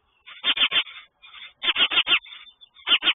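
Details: Nesting mother sparrow on the side of her nest, defending chicks against a nearby sparrow with a run of rough, rasping chirps in tight groups of three to four, separated by brief pauses.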